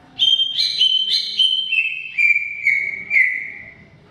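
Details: Greater green leafbird singing energetically: a string of bright whistled phrases with sharp accented starts, stepping gradually lower in pitch, about two phrases a second before trailing off.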